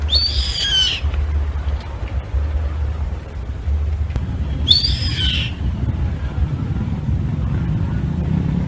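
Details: Yellow-headed Caracara (carrapateiro), common in Brazil and known for perching on horses, cattle and sheep to pick off ticks on farms, gives two harsh, shrill, descending screams about four seconds apart over a steady low rumble.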